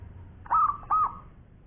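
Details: A single short phrase from an actively singing local zebra dove: two smooth, level coos in quick succession, clear and mellow against a quiet background.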